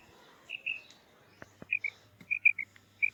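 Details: Female quail calling, known locally as maadi batair or maadi karkari: short, clear whistled notes at a fairly high pitch, given singly and in pairs with irregular gaps, plus a few sharp clicks and a faint low hum.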